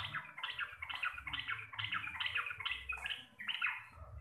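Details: Sooty-headed bulbul, local Javanese kind, in clear loud 'gacor receh' style: a steady series of short bubbling warbled phrases, about two per second, slightly descending, over faint low noise.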